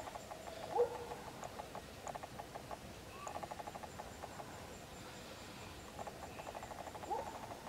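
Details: One of two wild African grey parrots visiting in Uganda gives two sharp, swooping whistles near the start and end, with bursts of rapid, ticking chatter between them over a quiet background.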